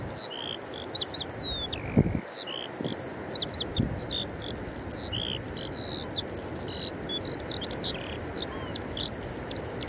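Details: At Eyemouth on 30 May 2024 a Eurasian skylark sings, recorded via Canon EOS 90D and Sigma 150–600mm lens: an endless run of bright, high chirping and whistled phrases, with low rumbling background and two soft thuds.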